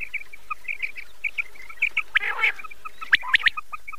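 Common quail giving quick, high chirping notes in an irregular stream, broken by a harsh rasping burst midway and a few sharp clicks near the end.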